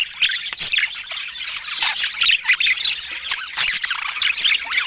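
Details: Budgerigars near fruit and healthy food chatter loudly in short bursts of scratchy squawks and bright chirps, several birds calling at once with brief dips between the louder bursts.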